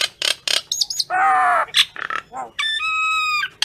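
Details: Common myna calling its flock: a loud jumble of harsh squawks, short chattering notes, a drawn-out buzzy harmonic croak and clear whistled tones, delivered in irregular bursts with brief pauses.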